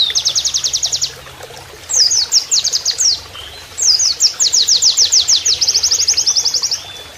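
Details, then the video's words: Oriental white-eye in canary-imitating training song: a fast high trill, a pause, then jerky sweeping notes building into a long run of quick repeated whistled notes that fades toward the end. "MASTERAN PLECI NEMBAK KENARIAN"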